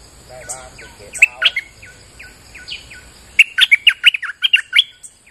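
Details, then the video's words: Bulbul lure song in the rain: faint downslurred whistles and a few loud chirps, then a sudden rapid string of about ten bright, bubbling whistled notes in under two seconds. "Suara pikat merbah lekir gacor"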